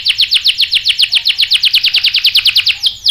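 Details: Canary song played as a lure to provoke rival canaries to answer with sharp rolls; an even series of about twenty quick, bright downsweeping notes, roughly seven per second, ending on a short sliding note.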